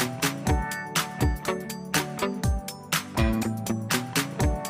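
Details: Rhythmic instrumental music with strong drum beats plays throughout, with no animal sound.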